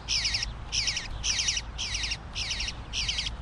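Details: Begging male bluebird fledgling: six harsh, scratchy chattering squawks in three and a half seconds, each burst rattling with rapid repeated notes, set against a faint steady low drone.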